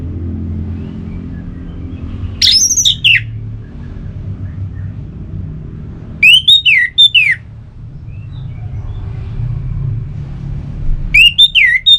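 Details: Orange-headed thrush sounds used to get kept birds singing: three separate bursts of harsh, scratchy, squawking notes spaced several seconds apart, with a constant low background rumble between them.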